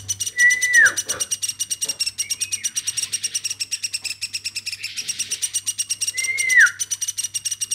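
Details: Nonstop calling from a woodpecker reared by hand from a baby: rapid high chattering pulses throughout, interrupted by two loud down-slurred whistles near the start and end.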